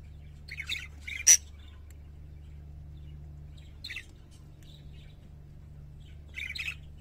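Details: Pet parakeets singing, with a few short scratchy chirps separated by pauses, one sharp click, and a faint low hum underneath.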